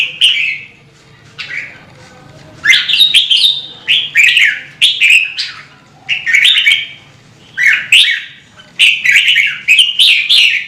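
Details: Singing red-whiskered bulbul used to prompt birds into song; quick run of warbled, bubbling whistled phrases, rapidly repeated after a short opening pause, over a low background hum.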